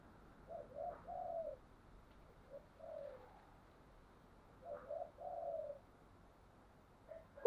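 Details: Spotted dove decoy used for training: faint, distant coo phrases repeated about every two seconds, short notes then a drawn-out falling coo, over steady background hiss.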